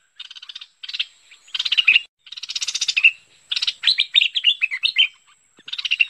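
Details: A bulbul (merbah lekir), recorded in 2021, gives bursts of rapid, dry ticking chatters, high-pitched and repeated in short phrases about every second, with no other sounds.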